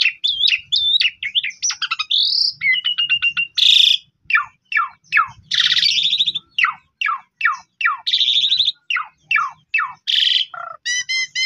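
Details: Asian pied starling, pundung type, in a long lively song used to get a silent bird singing: squeaky whistles and trills, then a run of rapid down-slurred notes broken by harsh buzzes, ending in ringing stacked tones.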